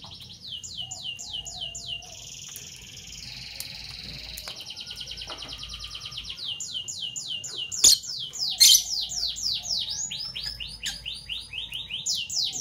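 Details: Morning chirping from two Fischer's lovebirds, parblue violet and parblue turquoise: quick series of high descending chirps, broken by a sustained buzzy trill, then resuming faster and louder with overlapping chirps and a few sharp squawks.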